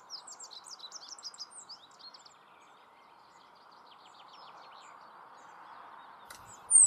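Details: A rock bunting in the Moselle valley, Germany, gives a quick, high, thin jingle of about a dozen tinkling notes over two seconds. A fainter phrase follows over a steady background hum, then a sharp knock.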